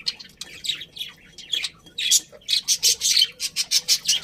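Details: Happy colony budgies giving short, sharp chirps, first scattered, then a quick run of about ten rhythmic squeaky notes at the end.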